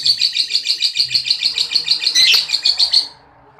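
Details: Lovebird ngekek, a long chatter meant as a master recording for training other lovebirds: evenly pulsed high chirps about five per second for three seconds, then stopping abruptly.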